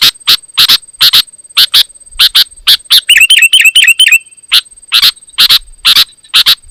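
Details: Loud, insistent sooty-headed bulbul song said to make rival bulbuls agitated and join in; regular harsh chip notes roughly twice a second, broken midway by a rapid burst of clear ringing chirps, over a faint constant high whine.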